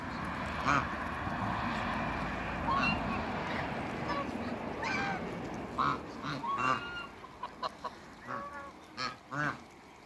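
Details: Toulouse and African geese in a backyard, bred together for a new hybrid, call in a loose series of short nasal honks and cackles, some rising, scattered across ten seconds with background hum.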